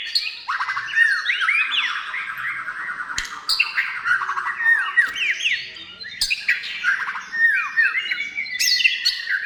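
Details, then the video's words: Energetic white-rumped shama song meant to stir other shamas to sing, with cascades of descending whistled slurs and rapid trills in bursts, separated by brief sharp clicks. "SUARA MURAI BATU GACOR MEMANCING MURAI BATU BIAR CEPAT BUNYI DAN GACOR"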